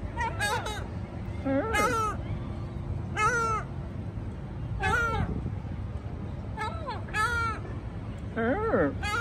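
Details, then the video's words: Several gulls at Bristol Harbour trading harsh, laughing, wavering cries in quick bursts, some stuttered and some drawn out, against constant low background rumble. "Seagulls talking at Bristol Harbour"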